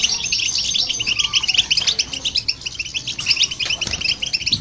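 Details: European goldfinch and a hybrid in full song, played to rouse other birds; a brisk, jingling stream of short high notes that briefly quickens toward the end.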